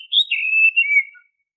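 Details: Short, loud, clean whistled phrase from an Oriental magpie-robin, a song used as a lure to make caged birds sing. It rises briefly and then descends smoothly.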